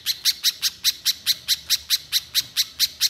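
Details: Little spiderhunter (pijantung pisang) in full song in the rapid-fire 'nembak' style, used to spur untrained spiderhunters into singing: a fast, steady series of sharp, high chip notes, about four a second, with no other sounds.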